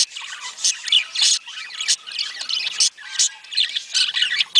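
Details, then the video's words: Budgerigar breeding-stimulation sound: loud, grating squawks standing out over softer warbling chatter, arriving in irregular bursts with short dips between them. "صوت يحفز البادجي للتزاوج"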